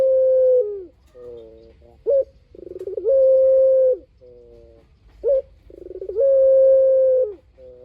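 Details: Spotted dove in full song, used as a lure to prompt other doves to answer: repeated three-part phrases, each a short upward coo, a purring trill, and a long level hoot that drops at the end.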